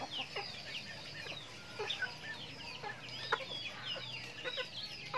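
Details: Backyard farm chickens at their daily routine, eating feed; a dense chorus of short high chirps, some rising and some falling, overlaps throughout, with occasional sharp clucking clicks underneath.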